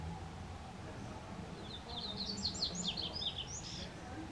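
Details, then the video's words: A double-collared seedeater sings a quick, high, twittering phrase of varied slurred notes lasting about two seconds, over a steady low rumble of background noise. "Coleirinho vocalizando."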